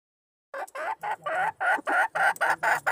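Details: Red junglefowl hen calling a male in, dated 26 March 2020. Roughly nine clucks, some short and some drawn out, in a slightly uneven rapid series after half a second of quiet.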